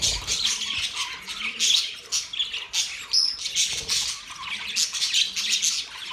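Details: A flock of budgerigars giving constant warbling chatter: scratchy chirps, squawks and thin whistles overlapping in waves, the noisy chorus rising and falling every second or so.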